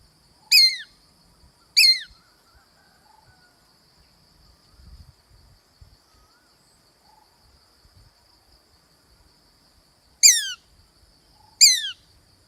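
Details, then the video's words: A female shikra, having laid eggs at her nest on a windy day, gives sharp, high, descending screams in two pairs about a second apart with long gaps; faint insect hum and light wind beneath. "Shikra Screaming Alone for a Long Time"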